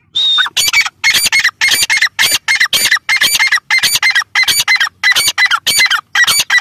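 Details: Female grey francolin calling: a clear whistled note opens, then loud harsh squawky bursts repeat about twice a second in a steady run, each carrying a short bright tonal tick.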